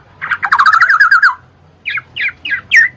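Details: Black-naped oriole, played as therapy to get lazy birds singing. A wavering, rasping phrase of about a second is followed by four short, harsh, down-slurred notes given in quick succession.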